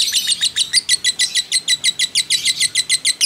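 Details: Caged fighter lovebird used as a training model, giving a long ngekek: bright, buzzy chattering notes spaced evenly at about five per second, loud and clear.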